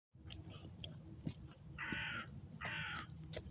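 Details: A lone crow cawing in January, said to be searching for prey. It gives two harsh, hoarse caws about half a second long, roughly 0.7 seconds apart, over a low background rumble with faint clicks.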